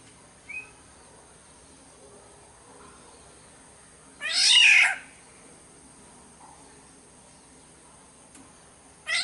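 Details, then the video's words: One strong, raspy, cat-like call from a Sumbawa black-naped oriole in mostly quiet surroundings, preceded by a faint short note and followed near the end by the start of another harsh call. "Pancingan suara burung kepodang SUMBAWA"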